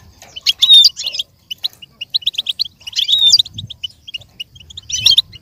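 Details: Lively goldfinch song meant for goldfinches to learn and imitate, with bursts of dense twittering and a loud slurred whistle, separated by strings of short, evenly spaced chips and several brief pauses.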